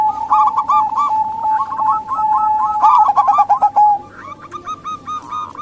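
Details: Female local zebra dove calls used as a lure for reluctant males or wild birds; fast, bubbling runs of short coos overlap continuously, then thin into spaced, softer phrases near the end.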